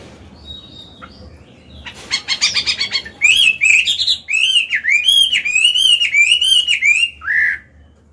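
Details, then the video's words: Singing caged Chinese hwamei, an old bird with a wild 'forest voice', used to coach young birds and excite males: a burst of harsh buzzy chatter, then bright, powerful whistles swooping down and up in a steady series. "Họa mi già giọng cực hay, luyện bổi, kích trống hót hay"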